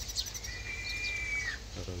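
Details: A talkative captive Crested Honey Buzzard at Primorsky Safari Park, Russia, gives one thin, high whistle, held steady for about a second and dropping slightly at the end; a man's voice follows.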